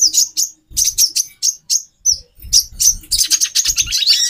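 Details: Female konin (brown-throated sunbird) whose calls are used to stir a male into breeding condition: sharp, high twittering chirps in quick groups, ending in a dense, continuous run of trilled notes, with faint low knocks.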